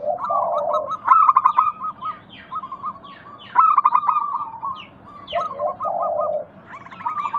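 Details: Zebra doves sing in a lure meant to make doves across a village answer. Chains of quick, clipped coos are broken by low rolling coo phrases near the start and the end. High chirps of other birds are scattered throughout.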